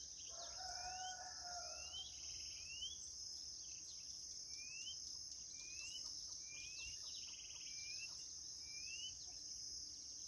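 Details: Chorão in the bush giving its dog-calling song style: a run of thin rising whistled slurs, about seven in ten seconds. A brief rooster-like crow comes at the start, over constant insect buzzing.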